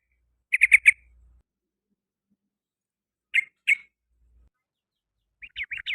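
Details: Sooty-headed bulbul singing in the afternoon: a short burst of four rough chirps, a pause, two more separate chirps, then a quick cluster of notes at the end, with silence between phrases.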